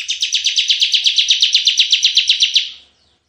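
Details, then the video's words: Singing vigorously in the 'tembakan' (shooting) style, a bar-winged prinia pours out a continuous run of about sixteen quick, bright, high chipping notes over two and a half seconds before trailing off. "suara tembakan CIBLEK GACOR"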